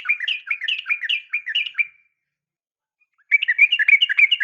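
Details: Female yellow-vented bulbul calling the male: fast bubbling run of chirpy notes, a pause of over a second, then a second rapid chattering burst.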